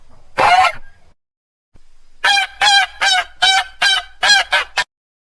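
A goose gives one drawn-out nasal honk, pauses, then lets off a quick run of seven harsh honks, about three each second.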